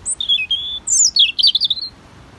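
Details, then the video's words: A European robin sings a brief, high, thin phrase: a clear whistle dropping in pitch, then a rapid, tumbling cascade of sweet warbled notes. "Unbelievable singing Robin red breast"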